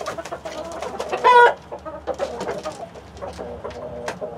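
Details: Domestic chickens, a mixed flock of hens with a Rhode Island Red rooster, heard live: a loud, nasal squawk bursts out briefly amid soft, scattered clucking from several birds.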